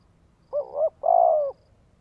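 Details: Single cooing phrase from a Vietnamese spotted dove (cu gáy) used to stir up a male. Two quick soft notes lead into one prolonged level coo that fades slightly at the end, with no other sounds.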